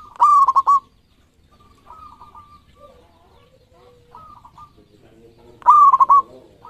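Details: Champion local zebra dove. Two loud cooing phrases, each a strong note breaking into quick stuttered pulses, bracket several softer, lower coos from other doves in the background.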